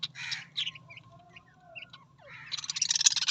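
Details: Australian parrot calls begin with scratchy chirps, pause for a thin sustained whistled tone, then end in a loud, harsh, dense burst of raspy chatter over a low background hum.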